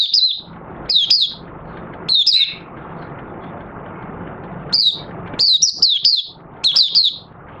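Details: Open song of a caged oriental white-eye, 25 August 2022, after three months with its cloth open at night. Short clusters of high, sharp, slurred twitters repeat irregularly, growing into longer rapid runs, against a background hum.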